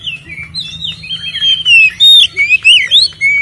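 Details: Oriental magpie-robin giving its ngeplong fighting song as a provocation lure: a continuous flow of loud sweeping whistles, upslurs and downslurs, growing stronger toward the end.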